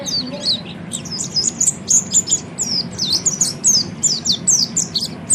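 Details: Oriental white-eye singing as a training song for other caged birds: fast, high, sweet twitters and quick rising and falling whistled notes packed closely together, with a faint low hum beneath.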